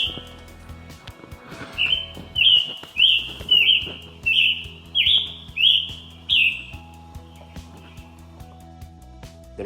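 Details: In June, in mature forest, a Scarlet Tanager up in the canopy, where it calls for most of the day, gives a quick run of about eight hoarse, burry, robin-like phrases, each slightly slurred, over a faint low background hum.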